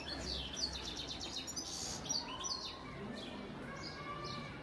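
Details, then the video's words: European goldfinch father bird from Antalya, 2018, giving softer high tinkling chirps and short twitters, spaced unevenly over a steady background hiss and low rumble. "Saka kuşu ötüm"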